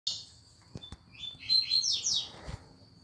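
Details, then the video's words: Lined seedeater singing a fast tuituí-style song: after soft clicks, a quick run of high, slurred descending notes rises in intensity mid-clip, then fades into faint clicks and low background hum. "Tuituí rapido"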